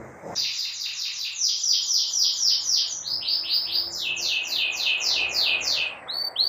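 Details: Domestic canary singing as a lesson for young canaries learning song: a quick series of high downward-sweeping whistled notes, roughly four per second, shifting between phrase types over a faint low background hum.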